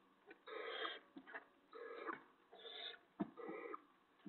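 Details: Barn owl owlet in the nest at 5:01 AM on 6 April 2017, swallowing a vole backwards after its delivery; a run of rough, grating hisses in uneven bursts, mixed with faint clicks and shuffling.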